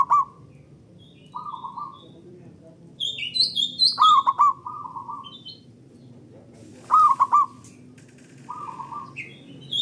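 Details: Local zebra dove song used as a lure to get other doves singing: loud staccato three-note bursts alternating with softer rolling coos, about every three seconds, while another small bird whistles higher notes in between.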